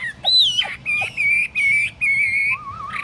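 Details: Tamed Chinese hwamei kept in a hand-carried cage set on a table, singing long clear whistled notes, a high arched whistle followed by several level whistles of similar pitch, ending with a lower wavering whistle.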